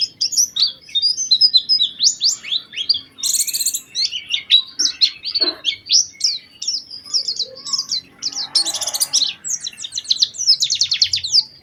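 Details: Extended white-eye lure song with special phrasing, used to stir other white-eyes into singing: continuous, very high twittering with quick repeated slurred notes and a few buzzy, harsher bursts.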